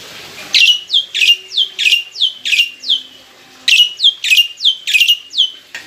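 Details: Caged adult black-winged myna kept in a songbird collection, singing a loud, melodious lure song full of varied phrases: a fast series of high, sharply descending whistled notes, about ten in six seconds, broken by one brief pause.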